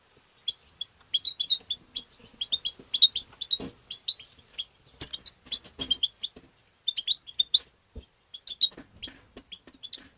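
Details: European goldfinch tbtba song: a continuous run of rapid chirps and liquid twitters in dense bursts, with faint low clicks and knocks underneath.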